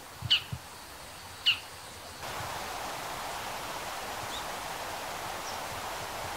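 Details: Male Bull-headed Shrike (Lanius bucephalus) giving its high-pitched call, two sharp, high, abrupt notes about a second apart, followed by a steady hiss of wind or rustling.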